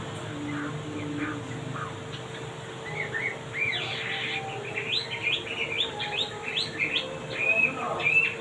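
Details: Male wambi singing melodiously: softer opening notes, then a busy stream of arched, rising and falling whistled phrases that grows louder toward the end, over a constant low hum.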